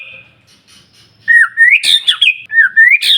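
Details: Shama singing to provoke other shamas: faint whistle and quiet stretch, then loud fast slurred whistles broken by harsh scratchy bursts.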